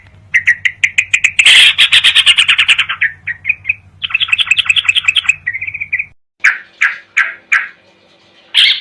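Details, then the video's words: Sooty-headed bulbul sounds used as nighttime training material so birds become fighters: dense, rapid chattering of bright notes that runs together, then slower separate chirps after a brief pause, a low hum underneath early on. "masteran burung trucuk buat terapi di malam hari supaya fighter"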